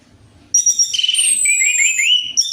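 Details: Orange-headed thrush song used as a lure to get a bird that rarely sings to start: one loud, rich phrase of high whistles and warbling slurs, with a long clear descending whistle running through it.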